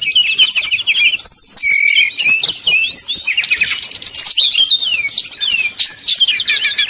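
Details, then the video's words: Brown-chested jungle flycatcher giving a fluting song used as a lure to provoke rival birds into singing; dense, rapid high whistled phrases with quick rising and falling slurs, delivered almost without pause. "srdc nyuling bikin lawan jadi panas penuh emosi pancingan srdc tercepat bikin srdc cepat ngeplong"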